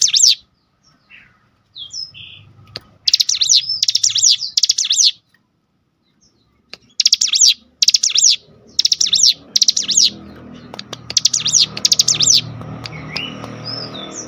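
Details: Cinereous tit stirred into loud song by a lure recording. Groups of high, chattering, sweeping notes come in repeated half-second phrases, broken by silent gaps, with a few thin whistles and low background rumble late on.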